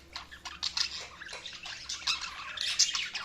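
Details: Chirping budgies in a busy flock chorus, many short scratchy notes and squeaky tweets overlapping continuously, with a faint low hum in the background.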